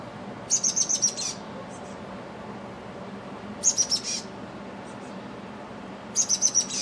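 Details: Chestnut-backed chickadee in a back yard giving three bursts of high, thin, buzzy notes, each a quick run of four or five, about every three seconds over a low hum.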